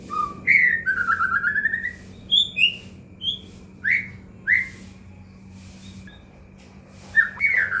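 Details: White-rumped shama song played as a lure to prompt caged shamas to sing: loud whistled phrases, slurred rising and falling notes, bursts separated by short pauses, with a steady low hum beneath.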